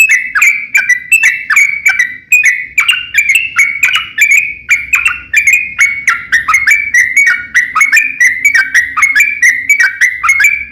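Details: Sooty-headed bulbul pouring out long rapid 'ropel panjang' song, a lure to get other bulbuls singing in reply; dense, steady stream of short bright whistled notes with clicky attacks, around three per second, faint low rumble beneath.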